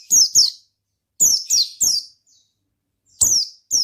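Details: Oriental white-eye in lively 'ngalas' song. Seven piercing, high, downward-sweeping chirps come in pairs and triplets, separated by short silent pauses.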